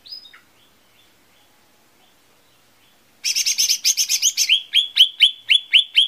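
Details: Lesser green leafbird song played as a lure to make birds sing: a brief note, about three seconds of quiet, then a fast buzzy trill flowing into a series of about nine sharp chipping notes.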